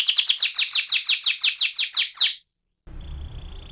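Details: AF canary 'ngerol' song: a quick run of bright downward-swept whistled notes for about two seconds, then a silent gap and a faint steady tone over low background noise.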